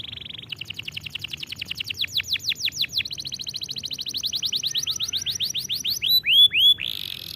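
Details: Training song of a canary: a brief steady tone, then accelerating series of bright, arched whistled notes merging into a fast high trill, ending with a few loud looping swoops.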